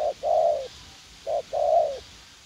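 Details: Young wild-caught spotted dove, eager to fight, calling as a decoy in a garden in U Minh: two pairs of low coos, each a short clipped note followed by a longer, smoothly falling hoot.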